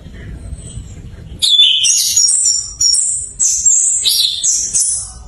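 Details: Orange-headed thrush singing as a lure for thrushes that will not sing. A low murmur comes first, then loud, fast, high-pitched whistled and chattering phrases burst in, each lasting about half a second.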